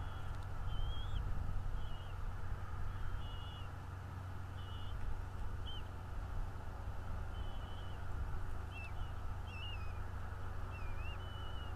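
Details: Nest-camera recording of a bald eagle in northeast Florida, morning of 11 February 2022: repeated high, thin whistles, some wavering or slurred downward, scattered through the clip over a heavy low hum.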